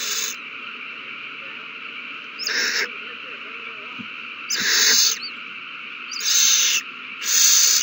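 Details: Nest owls on 3-21-20, worked into a frenzy when one delivers a mouse to its mate: four harsh screeching bursts, the later ones louder and longer, with faint thumps between, over background hum.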